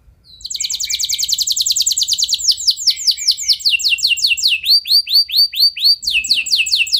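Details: Caged canary singing to spur other canaries into long rolling song; begins with a rapid buzzy trill, then slows into separate downslurred chips about five per second, ending with a renewed quick trill.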